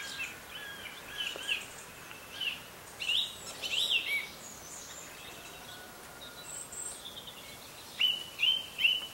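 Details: Songbirds in the morning give irregular chirps and trills, ending with three quick upslurred whistled notes repeated about every half second, over a steady background hiss.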